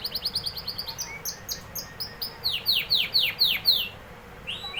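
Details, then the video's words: Singing canary delivers a rapid trill of clipped high notes, slows into evenly spaced chirps, then bursts into loud downward-swooping notes repeated in quick succession before ending on a brief rising note. "canary singing"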